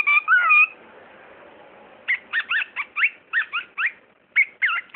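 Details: A talking bird gives one short whistled, speech-like phrase, then after a pause a rapid series of short, bent squeaky syllables, roughly four per second, indoors.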